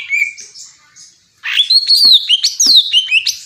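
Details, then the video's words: Greater green leafbird, known locally as cucak ijo, singing a bright varied phrase of clear whistles gliding between high and mid pitch, mixed with sharp chips and quick slurred notes after a brief quiet start. "Cucak ijo bikin pedes kuping"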